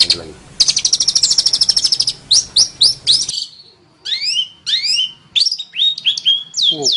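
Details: Training recording for songbirds of a long-tailed shrike: a rapid, steady high trill and a few sharp chips, a short pause, then clear upward-sweeping whistled notes in a varied phrase.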